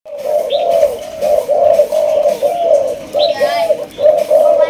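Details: A 3-month-old Malaysian spotted dove gives low, soft, rounded coos in a steady run of about two notes per second, with a few faint high chirps from another small bird.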